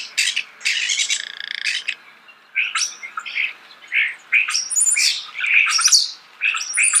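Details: Starling singing close up, a jumble of harsh, buzzy bursts mixed with short squeaky whistled notes, delivered in separate phrases with brief silent gaps between them.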